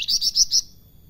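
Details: Loud, clipped salakan phrase of four rapid, very high whistled notes in about half a second, then quiet; the bird is described as singing actively with melodious flute-like notes.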